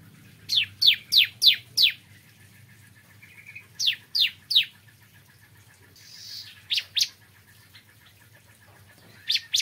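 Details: Bar-winged prinia in the morning, delivering short bursts of two to five sharp, high, steeply falling notes separated by pauses of several seconds, with a brief hiss and faint chips between bursts.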